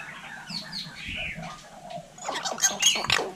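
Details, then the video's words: Vietnamese hill myna imitating human talk: soft warbled, voice-like phrases at first, then a sudden run of bright, squeaky whistles and harsh chattering notes toward the end. "Chim nhồng nói tiếng người cực đỉnh"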